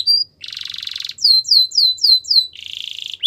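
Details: Canary singing a training song: a short whistle, a buzzy rolling trill, five loud down-slurred whistles about three per second, then another buzzy roll.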